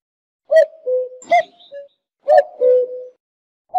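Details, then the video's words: Cuckoo, also named jleemah, calling in clean two-note phrases: a higher hollow note dropping to a lower, held one, repeated about once a second with brief silent gaps. "صوت طائر الوقواق 2 ( جليمه)"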